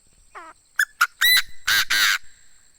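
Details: Chinese francolin used as a decoy bird gives its full crowing phrase, a brisk series of clipped notes building into two loud, grating, buzzy final syllables.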